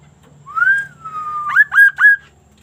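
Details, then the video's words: Kaso-kaso, the Sunda laughingthrush, in full voice with an unusual song: a long, smooth whistle arching upward, then easing into a steady note, ending in three loud, clipped whistles in quick succession. "GACORNYA KASO-KASO INI BERBUNYI TAK BIASANYA"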